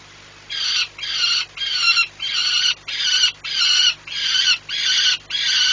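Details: Peregrine falcon, a male perched at the Orlen refinery in Płock, Poland, in July 2017, yelling as he watches flights: a steady series of about nine harsh, grating screams, each roughly half a second long.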